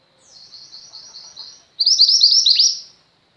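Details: Female Mountain White-eye, a lively singer used as tutor sound for pet white-eyes, warbles softly and high for over a second, then bursts into loud quick twittering capped by a descending slur; nothing else audible.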